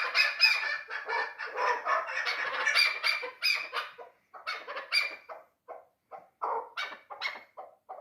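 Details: Three-year-old hunting chukar partridge of the dulan type. Harsh, clucking bursts repeat rapidly in uneven runs, several notes per second. Phrases grow sparser and more clipped toward the end, with short silent gaps between them.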